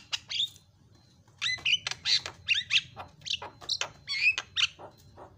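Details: Javan myna (jalak kebo) masteran with fill-in song used to get mynas shouting: a loose string of short squeaky and chirping notes, several with quick rising or falling whistled inflections, spaced irregularly over a low hum.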